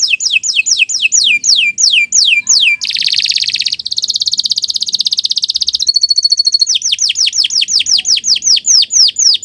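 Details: Canary singing a long, continuous song in the morning, kept for training other birds: rows of descending whistled sweeps, then rapid buzzy trills, a ringing pure-toned roll, and more falling sweeps.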